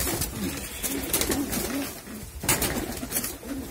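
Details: Golla pigeons, a domestic breed kept as laying and chick-rearing breeding stock, recorded in 2022; low, rolling coos repeat in short swelling phrases about every half second amid clatter and rustling from other birds.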